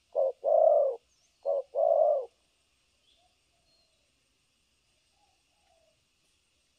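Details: Two quick paired coos from a spotted dove used as a trap decoy in Vietnam, each a short low note then a longer one, followed by several seconds of near silence.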